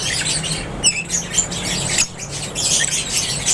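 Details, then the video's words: Aviary lovebirds chattering: dense, shrill, high chirps running together, with a few louder sharp squeaks standing out over a faint low hum. "LOVEBIRDS CHIRPING SOUNDS"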